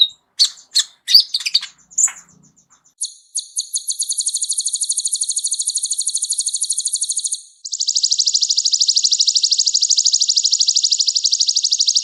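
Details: Kolibri ninja, a sunbird with a rich, complete fill repertoire used as a singing tutor for other birds: a few sharp chips, then a long, even, high buzzing trill lasting about four seconds, a brief pause, and another sustained trill.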